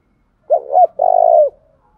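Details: Single morning phrase from a spotted dove decoy luring males: a bouncing double note followed by a long, steady, slightly pulsing low coo.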